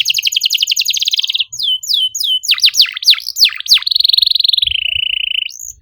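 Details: Lure song of a canary for birds that have stopped singing. A fast high trill leads into swooping whistles and deep plunging sweeps, then a long, even buzzy trill and a final rising note. Faint low thumps sound underneath.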